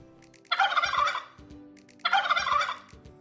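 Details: A domestic turkey gobbles twice, each a fast, bubbling, rattling burst lasting under a second, about a second and a half apart.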